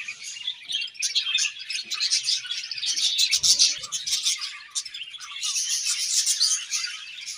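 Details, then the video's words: Several budgies twittering in the morning, an unbroken bright warble of quick chirps and trills that rises and dips in waves, with a faint low thud midway. "𝑩𝒆𝒂𝒖𝒕𝒊𝒇𝒖𝒍 𝑩𝒖𝒅𝒈𝒊𝒆𝒔 𝑴𝒐𝒓𝒏𝒊𝒏𝒈 𝑪𝒉𝒊𝒓𝒑𝒊𝒏𝒈"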